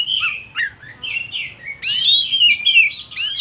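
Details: Oriental magpie-robin song meant to provoke other birds into singing: soft slurred whistles at first, then a loud burst of bright, rapidly sweeping warbled notes with high sharp accents.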